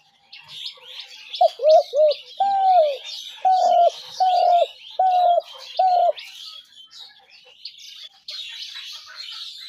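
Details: Spotted dove calls for trapping: two quick coos then a run of five longer, even coos, with constant high chirps of other birds throughout.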